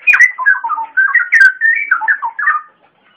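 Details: Green leafbird (cucak ijo) song used as a full masteran tutor recording for young birds: rapid varied whistled phrases, sliding up and down, delivered in a continuous warbling run that fades out after about two and a half seconds.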